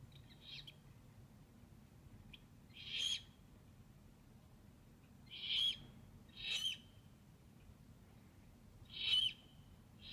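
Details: Owlets recorded 2/11/15 giving harsh, hissing screech bursts, five calls spread unevenly across ten seconds, each about a third of a second long, over a low steady background hum.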